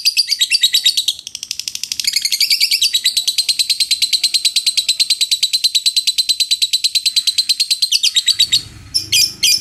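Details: Lovebird in an extended ngekek trill, a rapid high chattering rattle of clipped pulses running nearly nonstop, briefly broken near the end by a few separate scratchy notes and a low rumble.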